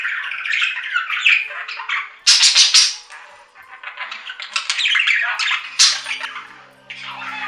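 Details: Lively budgerigar chatter: rapid, rasping chirps and loud squawking bursts with short gaps between them, and varied squeaks and warbles throughout. A faint hum joins near the end.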